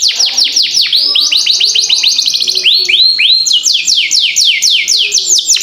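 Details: Canary in fast continuous 'gacor' song for training other birds: unbroken runs of quick down-slurred whistled notes, some buzzy, repeated several times a second throughout.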